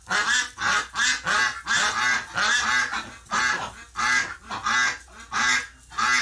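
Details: Ducks of a flock agitated after a flock member's death in hospital, late November 2018: strong raspy quacks repeated about every two-thirds of a second, each rough and buzzy, with birds overlapping.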